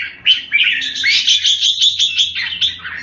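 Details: Energetic red-whiskered bulbul song: an unbroken run of quick, rising and falling whistled notes, dense and chattering, over faint low background noise.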